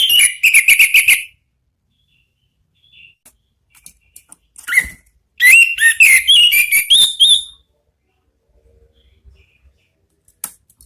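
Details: Orange-headed thrush with ngeplong-style song: a rapid run of sharp whistled notes, a pause with soft clicks and one single note, then a two-second cascade of varied, tumbling whistles before quiet.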